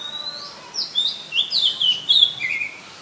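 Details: Oriental magpie-robin, a common resident of Ubon Ratchathani, Thailand, caught on a Nikon P1000 on 18 April 2022, delivering a quick phrase of high, slurred whistles that rise and fall in close succession.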